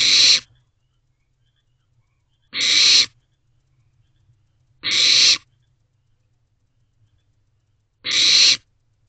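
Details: Barn owl owlets huddled together in an owl box at night, 9:12 pm on 22 May 2023, waiting for food: harsh hissing rasps about half a second long, repeated roughly every two and a half seconds, four in all.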